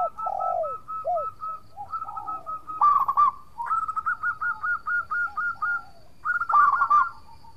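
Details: Local zebra dove singing vigorously for use as a lure to make opponents answer: steady rows of short, soft coos, a lower swooping voice early on, and a louder rapid cooing flourish midway.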